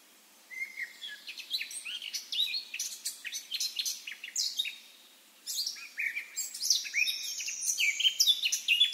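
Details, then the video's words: Wild Eurasian blackcap singing: a rapid, scratchy warble of varied high chirps, broken by a brief pause midway before resuming richer and louder. "chant & cri de la fauvette à tête noire HD - song & call eurasian blackcap"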